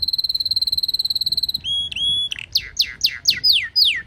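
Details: Canary song under the wisteria trellis in Nara Park, Japan: a fast high trill, then two drawn-out rising whistles, then a run of quick, loud, downward-sweeping notes.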